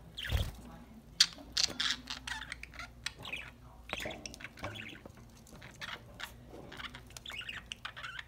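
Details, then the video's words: Happy pet budgies singing and playing over a corn treat: a busy stream of scratchy twitters, squeaks and brief squawks, opened by a low thump. "My budgies enjoying corn treat, playing and singing"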